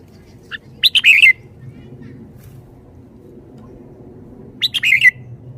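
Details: Red-whiskered bulbul kept as a caged songbird, showing liveliness: two brief chattering warbled phrases about four seconds apart, each opening with clipped notes and ending in a falling slur, over a low background hum.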